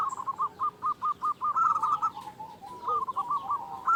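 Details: Local zebra dove with a big voice, a lure to spur quiet doves into calling. Short clipped coos repeat about every fifth of a second, then a run of rolling, wavering notes. Background hiss throughout.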